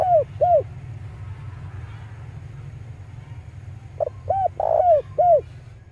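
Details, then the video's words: A male spotted dove coos, a recording used for luring wild doves. Two falling coos open the clip, then after a pause a fuller phrase of clipped note, arched coos, a long burred coo and final drop, over low hum. "suara burung tekukur jantan"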